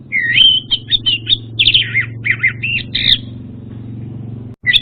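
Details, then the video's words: Orange-headed thrush lure song: a varied series of quick, twisting whistles and squeaky slurs, about ten notes in three seconds, with a steady low mechanical hum underneath, then a brief pause and a fresh note. "SUARA PANCINGAN UNTUK ANIS MERAH BAHAN"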